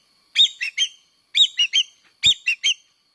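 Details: Lure call of the common green magpie, three groups of two or three sharp, rasping whistled notes each, spaced about one second apart, clean background.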